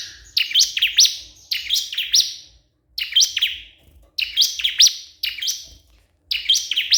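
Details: Bar-winged prinia calling a rival: six bursts of sharp, high chirped notes, each a quick run of downward-swept strokes, about one burst per second with short gaps between them.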